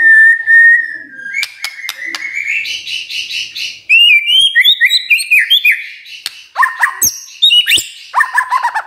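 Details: Morning lure song meant to make other magpie-robins sing: a long steady whistle, then rich, rapidly varied whistled phrases with sharp clicks and ticks, loud and clear throughout.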